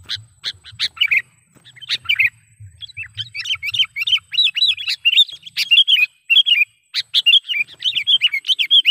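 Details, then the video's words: A sooty-headed bulbul used as a trapping lure gives scattered sharp notes at first, then an energetic run of rolling, repeated chirps that continues to the end; faint low background noise early on. "suara BURUNG KUTILANG PIKAT gacor / pikat kutilang gacor dengan suara panggilan kutilang gacor"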